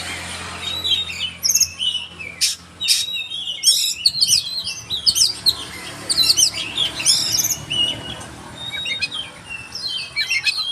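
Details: Oriental magpie-robin singing vigorously: a rapid, varied stream of high, sharp whistles and chirps in dense overlapping phrases, with a constant background hum.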